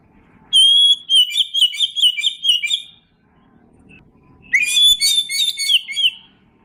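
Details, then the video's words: Oriental magpie-robin singing to draw a response from young birds: two loud bursts of rich whistled warbling with a clear pure note at the start of each, a quiet gap between. "Masteran kacer. Kacer bakalan langsung nyaut..suara pancingan kacer bakalan"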